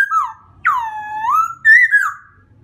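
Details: White-crested laughingthrush producing long, smooth, pure whistled notes that swoop down and then rise again, ending in a brighter warbled phrase, against a faint low hum.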